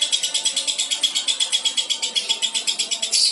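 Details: Albino lovebird, a contest contender, gives a long, unbroken, high rattling chatter ("ngekek panjang"), about seven to eight harsh pulses a second, held for the whole stretch.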